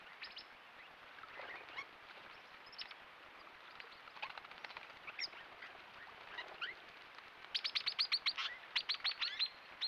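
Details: Critically endangered swift parrots visiting in late April to early May 2025, a flock of over 20 including possible immature birds: scattered chattering notes give way to bursts of rapid, high metallic chips repeated in quick series.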